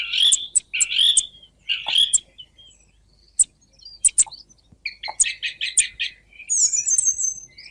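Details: Song thrush singing: three similar loud whistled phrases repeated, scattered thin notes, then a rapid stuttering series and a final high, thin trilled flourish.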